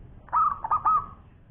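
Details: Zebra dove of a local strain, singing actively in a champion long-voice style. A single phrase: a bright opening coo, then two quick notes and a long, steady, fading coo.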